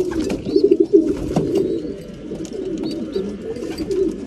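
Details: At mealtime, breeding pigeons give low bubbling coos, loudest early on and then softer and steady, with occasional high faint squeaks and clicking noises.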